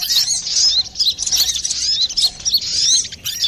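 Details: Busy brown-throated sunbird song, clear in tone, played as a lure or as singing therapy for other birds: a continuous run of very high, squeaky chirps and short slurred whistles with barely a pause.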